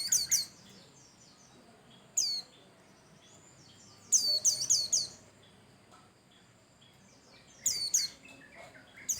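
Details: White-eye of the pleci Bustomi kind singing vigorously, used as a prompt for other birds. Rapid runs of four or five high, falling chirps, interspersed with single notes and softer lower twitters.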